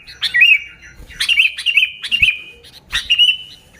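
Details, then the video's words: Sooty-headed bulbul in lively, genuine song with no mixed-in songs of other birds, used to lure bulbuls: three bright chirpy phrases, each opening with a sharp note then a wavering warble, roughly one per second. "Suara Burung Kutilang Gacor ASLI Tanpa isian, Ampuh untuk Pikat Kutilang bikin kutilang Ribut gacor"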